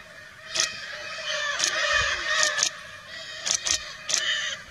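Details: Wild Lear's macaws flying free in Brazil give loud, grating squawks, brief harsh bursts repeated at irregular intervals, some doubled, over a constant noisy background.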